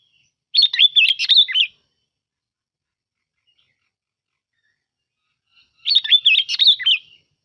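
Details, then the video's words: Lure song of a sooty-headed bulbul, two lively chattering whistled phrases about five seconds apart, each around a second long with rapid up-and-down notes, no other sounds. "Tiếng Chim Bông Lau Mồi"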